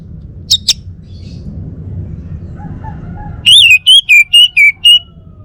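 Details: Two faint high chips, then a male Bali orange-headed thrush bursts into six loud, clear whistles that slur downward in a quick run. Low hum underneath.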